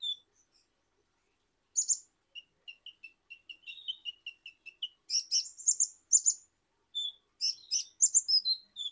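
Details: High, thin song of a kolibri ninja sunbird from Indonesia: a sharp chirp burst, then a long series of soft, quick piping notes, followed by clusters of bright, emphatic double chirps and whistles.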